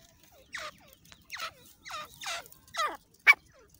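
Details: Partridge calling, a lure sound for hunting in jungle: five separate raspy, descending notes about half a second apart, then one sharp click-like note, over a quiet background.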